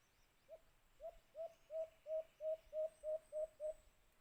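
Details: White-eared brown dove (alimokon) calling in a trapping setting with a cage trap: a clear run of ten short hollow hoots, each swelling and falling, repeated about three times per second and building in volume.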